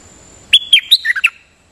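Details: Nok dok taeng, a Thai decoy-style singing bird, giving a short phrase of about six sharp, bright whistled notes that step down in pitch, delivered in under a second against quiet background.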